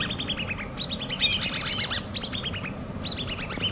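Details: Hand-reared common babbler chicks twittering in quick series of clear, arched chirps. Overlapping voices and a few sharp high squeaks form short bursts over a quiet, low background hum.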